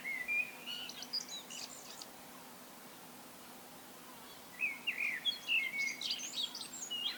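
Common blackbird singing two rich, warbled phrases about four seconds apart, each ending in a higher, squeaky twitter, over a soft background hum.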